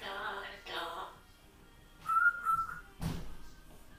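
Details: Two grey parrots, left briefly alone at home, recorded by a camera set up in their room. They make harmonic, speech-like sounds, then a clear, level whistle held for under a second, followed by a sharp knock.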